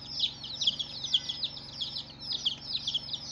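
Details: Baby chicks on their first day, loud high cheeps, some sharper standouts among softer overlapping peeps, each note dropping in pitch, about two per second from the loudest bird.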